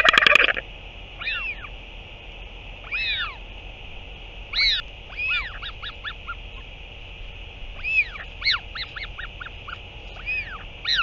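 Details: A loud clattering burst opens, then a Northern royal albatross, parent returning to feed its chick on 8 June 2023, gives a series of arched, whining syllables in short clusters, irregular and continuing throughout over low steady hiss.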